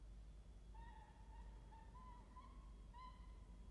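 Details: A peregrine falcon at a nest box gives thin, drawn-out whining notes, slightly wavering, in a run of about three seconds over a low background rumble.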